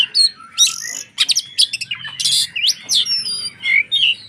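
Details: Energetic White-rumped shama (kacer) song, played to provoke rival shamas: loud harsh broadband bursts alternating with clear whistled slurs and chirps, dense and irregular throughout.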